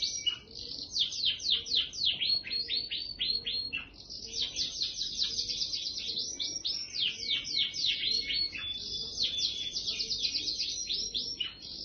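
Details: Canary delivering a rapid, unbroken high-pitched song of rolling trills and sharp repeated chirps, with short pauses between phrases and a quiet background.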